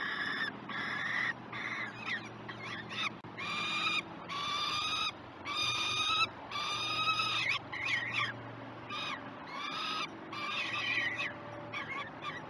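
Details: Breakfast feeding of peregrine falcons at Great Spirit Bluff, live nest cam, 21 June 2018; a long series of grating, harmonic screams in bursts, some with short chattering notes, over a low hum.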